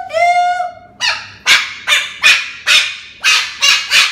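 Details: Pet cockatoo yelling at its owner for filming it indoors: a held, steady tonal note, then a run of harsh, broadband screeching squawks about twice a second, each sharp-onset and fading quickly.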